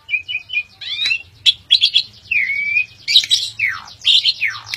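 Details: Asian pied starling (Sturnus contra jalla) in a rich, varied song of clear whistles, long falling slurs and harsh buzzy chatter, delivered without pause over a faint low hum.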